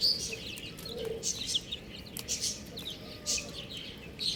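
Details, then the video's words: Buff chicks chirping, piercing high peeps in quick bursts, several loud close calls standing out against a quiet background. "Adorable Chick Sounds | Amazing Chicks Chirping Sounds"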